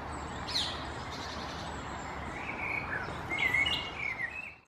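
A song thrush gives a few short, clear whistled and chirping notes, loudest near the end, over a steady rushing background hiss.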